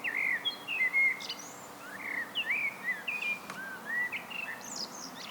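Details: Wild common blackbird, Turdus merula, singing solo: a run of clear, fluting whistled phrases sliding around a mid pitch, each ending in higher squeaky twitters, with brief pauses between phrases over a faint steady background hum.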